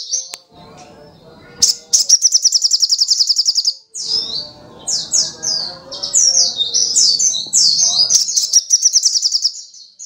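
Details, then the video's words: Sogok ontong, a sunbird, in full energetic song: an opening chip, then a long rattling trill of rapid even pulses, followed by a run of tumbling high squeaky phrases, nearly continuous throughout. "SUARA BURUNG SOGOK ONTONG GACOR"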